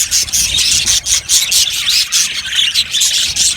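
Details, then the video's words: Many Australian budgerigars chatter in an aviary colony, loud high squeaky warbling pulsing in quick bursts roughly three times a second. "Budgies chirping sounds"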